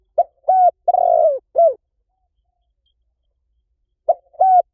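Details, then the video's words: Spotted dove call played as a lure for trapping wild doves: a crisp four-part phrase of low coos ending in a long burry note and a falling one. The next phrase begins after a quiet gap of about two and a half seconds. "เสียงนกเขาใหญ่ หมานๆ ต่อเข้าเร็ว ป่าไหนก็เข้า"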